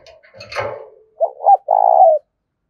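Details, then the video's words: Decoy spotted dove in rural Đồng Nai, Vietnam, giving its rapid urging coo used as a lure: after a brief burst of rustling noise, two short lead notes lead into one long, steady, rolling coo. "Tiếng chim cu gáy Mồi thuần gáy thúc vang một vùng quê Đồng Nai"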